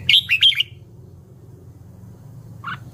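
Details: Red-whiskered bulbul delivers a quick, lively phrase of sharp warbling notes, then falls silent before one lower, brief chirp.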